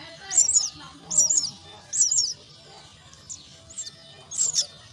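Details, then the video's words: Begging myna chicks in their nest while fed, three strident rasping bursts close together, a pause with fainter short notes, then another loud burst. "Feed the myna chicks at nest"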